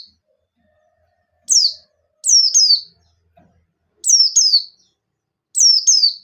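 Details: Pleci buxtoni white-eye singing in shooting style to provoke rivals: high, piercing downslurred notes in pairs, repeated about every one to two seconds, in an otherwise quiet background.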